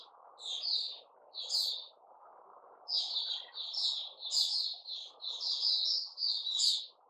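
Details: Caged white-crowned shama (Puteh Raja) in a new-feather season, September 2021, delivering a run of rich whistled and slurred phrases, with higher sharp accents, over a steady low hum.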